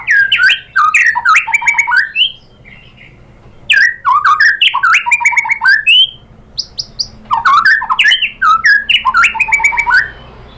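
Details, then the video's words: Loud white-rumped shama song played to provoke a caged shama: three dense bursts of rich, tumbling whistled phrases, each separated by short quieter gaps with a few soft notes. "pancingan MURAI batu bikin EMOSI NYAUT GACOR BONGKAR MATERI ¦ SHAMA BIRD"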